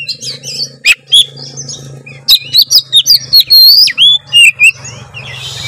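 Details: White-rumped shama song used to lure other shamas into singing: a rich run of loud whistled notes and sweeping slurs, some rising and some falling, delivered in quick bursts after a quieter start, with a low steady hum underneath.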